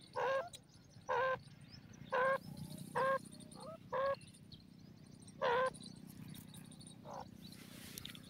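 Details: Partridge (dakhni teetar) giving short, nasal, harmonic notes about once a second, with a pause before a final pair, over a steady low background hum.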